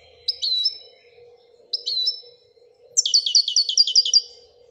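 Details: Royal goldfinch singing two short slurred whistled phrases, then a quick run of about eight tinkling repeated notes, with a faint steady hum.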